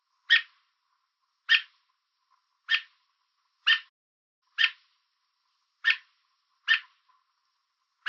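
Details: American robin calling from a fence in Southern Ontario, Canada, warning an intruder off with eight sharp, bright chirps at a fairly steady pace, each a short harsh note, in calm quiet conditions.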